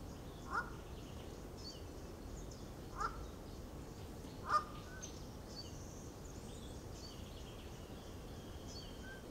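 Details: Southern banded snake eagle, searched for in north-eastern South African coastal forest, giving three short, harsh, mid-pitched notes spaced a second or two apart, over a steady low rumble and faint distant bird chatter.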